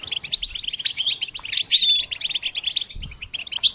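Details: Goldfinch song used to stimulate and train songbirds: a dense, fast twittering of high chirps and trills, with brief clearer whistled notes near the middle and a short pause toward the end.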